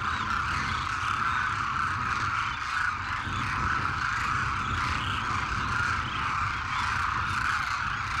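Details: Many migratory Demoiselle Cranes (Anthropoides virgo) in a flock give a dense, steady chorus of croaking, rattling calls, over a low rumble of wind or distant traffic.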